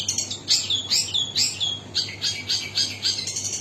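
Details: Long-tailed shrike song: a run of sharp, whistled, slurred notes at a high pitch, repeated about four times a second, over a steady low hum.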